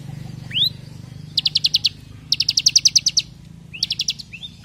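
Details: Bar-winged prinia in fairly active song, delivering its rapid 'brem AK47' style, used as a training recording for other birds: high upslurred whistles, then machine-gun bursts of six to ten sharp high notes separated by short pauses, over a low hum.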